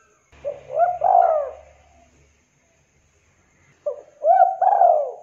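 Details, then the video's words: Vigorously singing local spotted dove, played to prompt reluctant doves to sing: two throaty cooing phrases with a long, drawn-out descending coo, a low hum underneath and a gap of quiet between them. "Tekukur Lokal Gacor DOR 100% OBAT MACET, MALAS, BISU Bikin Derkuku manapun jadi Gacor"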